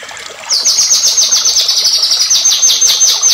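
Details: White-rumped shama, agitated lure song for provoking other shamas to sing: a quick, steady string of high, sharp, down-slurred notes, roughly five per second, with faint trickling water behind.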